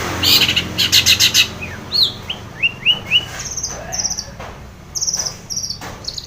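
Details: In a song used to get a stressed or silent shrike singing, a long-tailed shrike starts with harsh buzzy bursts, then a series of four or five rising whistled slurs. High thin chips and a low hum follow.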